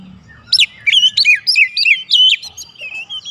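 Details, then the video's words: White-rumped shama song used to provoke other birds into responding: loud, clear whistled phrases with rapid swooping and rising notes, several sharp accented elements, on a quiet background. "PANCINGAN KACER MANAPUN AUTO RESPON NGEPLONG"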